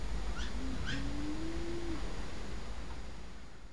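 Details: Temminck's tragopan during a courtship display at Antwerp Zoo, Belgium, gives a single low, drawn-out moaning note rising slightly over about a second and a half, with faint high chirps and a steady low rumble behind it.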